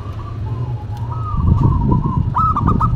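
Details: A duet of a local and a cemani zebra dove: a soft drawn coo, then a short burst of crisp stuttered notes, partly covered by loud low rumbling noise.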